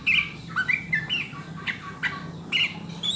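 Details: Sooty-headed bulbul song played to make caged birds sing: a string of warbling, slurred whistles and chirps at uneven intervals, against a noisy hissing background.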